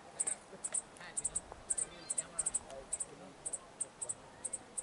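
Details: A Tennessee warbler in Bragg Creek Provincial Park, Alberta, Canada gives very high, thin, doubled ticking notes, repeated about twice a second over faint background hiss.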